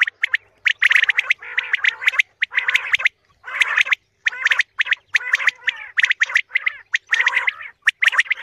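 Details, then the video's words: Common quail calling, used as a morning hunting lure: loud, rasping, buzzy phrases alternating with sharp clicks, repeated steadily with brief silences between. "Quail sound for the morning hunting | batair awaz subah shikar k leye"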